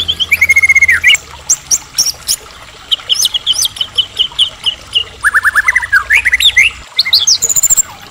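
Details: White-rumped shama of the Medan type, in full song and used as a lure to make other shamas answer, pouring out rapid trilled phrases, descending whistled runs and sharp repeated chips in dense, varied sequences.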